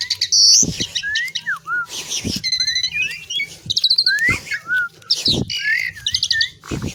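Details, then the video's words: Jalak suren, the Asian pied myna, delivering a busy song of looping whistles, bent descending notes, rapid rattles and harsh squeaks, punctuated by loud knocks and clicks. "THE BEAUTIFUL SOUND OF ASIAN PIED MYNA, JALAK SUREN GACOR"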